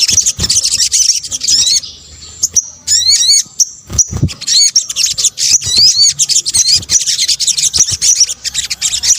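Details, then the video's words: Sunbird lure combination: a busy high twitter, a brief quieter gap with a held thin tone, then clusters of quick zigzag rising notes and renewed rapid chattering. "PANCINGAN SOGON BUNYI AMPUH | kombinasi suara sogok ontong"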